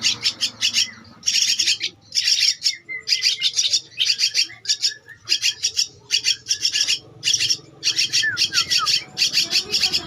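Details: Rhythmic groups of harsh, raspy begging calls from a Javan myna chick aged two weeks, evenly spaced bursts, with occasional faint thin whistles in the background.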